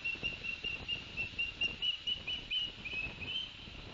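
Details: Osprey at a nest camera in Barnegat Light, 11 September 2021, the adult male bringing two fish to the young: a long string of thin high whistled notes, about two per second, over steady background hiss.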